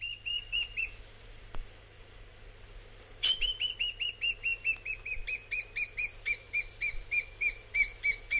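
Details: Rufous Scrub-bird giving a loud series of short, clear whistled notes with a ringing overtone, after a brief pause. The notes repeat about three or four times a second against a quiet background.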